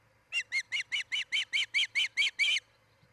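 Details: Osprey at a nest in Charlo, Montana, recorded 10 July 2018 between about 03:29 and 04:29, gives a quick run of about eleven high, sharp whistled notes, roughly five a second, growing slightly louder, over a faint low hum.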